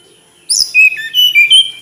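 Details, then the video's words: High, pure whistles from a tledekan gunung flycatcher, four notes in a brisk falling-then-rising phrase following a sharp opening chip. "Kicau Merdu TLedekan Gunung"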